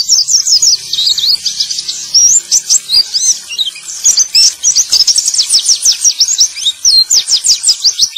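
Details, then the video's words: Male white-eye song used as a prompt to get silent caged white-eyes singing again, a rapid, high, continuous chattering twitter of thin sweeping notes and trills without pause. "Terapi Pleci Macet Bunyi || Pancingan Burung Pleci Jantan!!"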